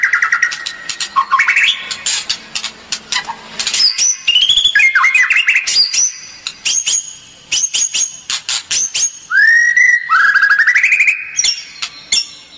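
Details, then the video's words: White-rumped shama kretekan song, meant to provoke other birds: a varied medley of whistles at changing pitch, some gliding up, some long and high, mixed with dry clicks, with short pauses between phrases. "kretekan murai batu pastol gacor full tembakan.efektif pancing emosi"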